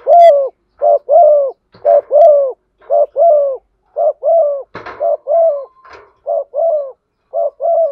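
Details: Repeated paired low coos from a female spotted dove stirring a male, about one pair per second, with a few clicks and a brief rustle midway.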